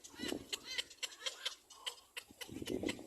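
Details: Black-crowned baby bird screaming as it follows behind its mother: short, high harmonic peeping notes, some slightly wavering, repeated about twice a second among sharp clicks and scraping noises.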